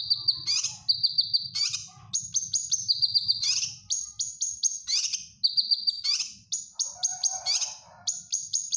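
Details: Cucak kinoy bulbul singing energetically, a training song for caged birds: high, clear whistled notes repeated in runs, broken by sharp, louder upward-swept bursts, with a low steady hum underneath.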